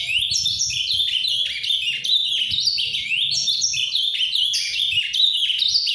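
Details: Azulão farrapo (ultramarine grosbeak) singing a paraná-style song, a steady, rapid stream of high, slurred and looping notes, each phrase sweeping up and down without pause.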